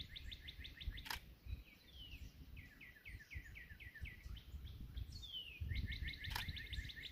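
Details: Competing Northern Cardinals on a cool April 19 morning bird hike, one singing from across the way: runs of quick repeated notes, a series of slurred downward whistles, then another fast repeated burst, with low rumbling background noise.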